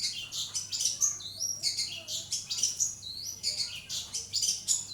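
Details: Long-tailed shrike in full, lively song, used as a tutor recording for training other songbirds: dense bursts of high, shrill chirps and whistled notes, rapid sharp phrases repeated roughly every second, with faint low hum beneath.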